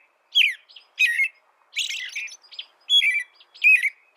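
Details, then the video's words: American robin singing, suited for tutoring other birds: six separate whistled phrases, each rising then dropping, a few with a scratchy, squeaky texture, delivered at an uneven pace. "Suara burung american robin"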